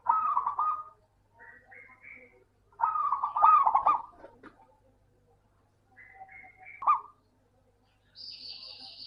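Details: Local zebra dove song, played as a lure for doves that are slow to sing: rolling, stuttering coo phrases, with fainter tonal notes in between and a brief high whistle near the end.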